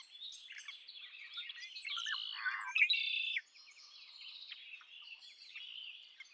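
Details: Red-winged blackbird song within a busy bird chorus. One louder, rasping buzzy trill stands out near the middle, and many overlapping chirps continue throughout.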